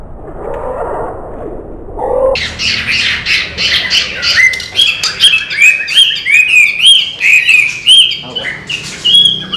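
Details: Tame, owner-trained Chinese hwamei from Vietnam's Mekong Delta region. Murmured voices and low noise come first, then a burst of vigorous song: rapid, sweet, fluty phrases with sliding whistles, repeated in a fast, uneven stream.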